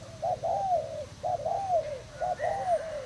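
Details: Thai-type spotted dove cooing, recorded 18 June 2018: three low mellow phrases about a second apart, each a short note followed by a longer rolling, slightly falling coo.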